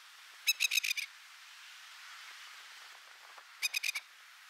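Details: Masked lapwing, or spur-winged plover, defending a nest of four eggs in a park at Upper Mt Gravatt, taped from about 20 metres: two bursts of rapid harsh metallic notes, about five each, separated by a three-second pause, over faint background hiss.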